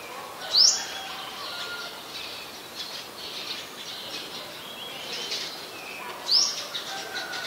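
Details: Olive-backed sunbird in mangrove forest at the Sirinart Rajini centre, Thailand: two sharp, high, rising call notes, one near the start and one near the end, separated by a long quiet gap over faint background hiss.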